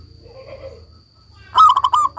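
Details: Local Indonesian zebra dove singing: after a low, soft murmur, a loud burst of quick, rolling coo notes begins near the end and breaks off abruptly.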